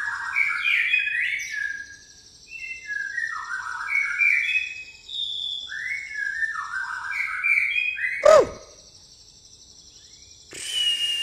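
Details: Pastol-style white-rumped shama song with fighting-sparrow mimicry: a long run of varied whistled phrases sliding down in pitch, a pause, more tumbling whistles, then a loud sharp crack and a burst of hiss.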